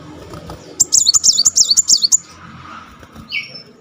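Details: Brown-throated sunbird, known locally as Kolibri Muncang, firing one dense burst of "tembakan" song: about a dozen rapid high zigzag notes in just over a second, then a soft two-note whistle.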